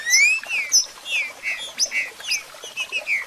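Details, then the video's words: Trinca-ferro (Green-winged Saltator) singing and 'marcheando', meant to fire up a kept bird: a steady run of short whistled slurred notes, rising and falling, repeated about every quarter second, with a few high faint chips behind. "Trinca Ferro Cantando e Marcheando Top Para Foguear e Levantar a Fibra"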